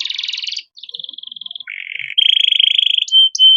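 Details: Canary master song for training young cage birds, heard as a dense run of trills: a high buzzy roll, a smoother trill, a lower rattling burst, then a loud even trill and a clear held whistle.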